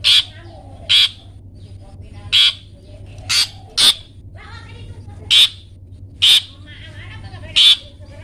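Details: Long-tailed shrike uttering 'toet toet' notes for pet-bird tutoring: eight coarse, loud, scratchy bursts at irregular one-to-two-second gaps, with faint chatter in between and a steady low hum beneath.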